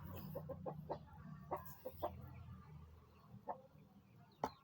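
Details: Twenty-day-old chicks, nine of them, make short clipped clucks in loose clusters with gaps of silence between, over a low background hum.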